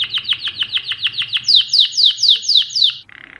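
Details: Repeated quick downslurred notes from a Mosaic canary, about four per second, shifting to louder, higher sweeping syllables, then a soft low buzz at the end.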